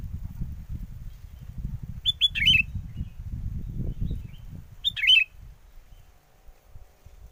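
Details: Sooty-headed bulbul song used to lure birds into traps, in strong wind: two quick, bright, twisting phrases roughly three seconds apart, almost buried under heavy low wind buffeting.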